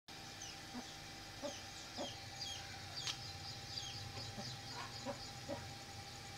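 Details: Golden Heavy Buff chicken giving low, short clucks repeated about every half second, over thin high chirps from other birds and a steady background hum.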